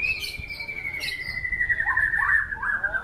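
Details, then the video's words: White-rumped shama holding a long, pure whistle that slowly drops in pitch, then adding short slurred notes, with a few quiet clicks behind. "Aksi MURAI BATU SNIPER memukau ngeplay dengan irama lagu mewah"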